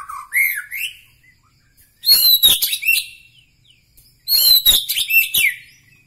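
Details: White-rumped shama (murai batu, Medan Bahorok type) gives a brief swooping whistle, then two loud bursts of high, harsh, scratchy chatter, each about a second long and separated by silence.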